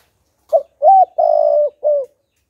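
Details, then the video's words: {'caption': 'Decoy spotted dove cooing to rouse wild doves: a complete four-note phrase of a short lead note, an arched coo, a long pulsing coo and a closing falling coo, with a clean, quiet background.'} "Chim Cu Gáy Kích Bổi Đủ Bài - Kích Là Gáy 100%"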